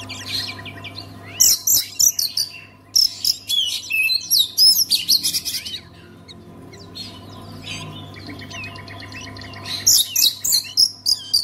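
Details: Oriental magpie-robin kept as a songbird, used to make other magpie-robins sing: long energetic song of rapid-fire sharp whistles, harsh chatters and swooping notes, a quieter stretch of buzzy trills midway, then another loud burst; steady low hum behind.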